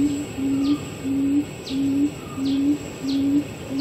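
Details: In Pingtung County, Taiwan, on 27 November 2015, a barred buttonquail of the endemic Taiwanese subspecies gives deep, hollow hoots, each about half a second long and repeated roughly every 0.7 seconds, with faint higher chirps behind.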